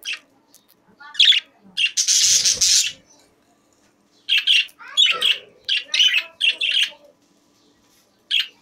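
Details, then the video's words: Caged budgerigars chatter in quick squeaky notes, a loud harsh screech lasting about a second, then a string of rapid buzzy chirps and twitters, ending with one last squeak. "Beautiful Budgies Singing in Cage | Singing Parakeet in Cage"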